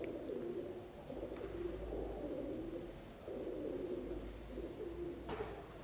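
Several pigeons coo in low, throaty, overlapping phrases that rise and fall almost without pause.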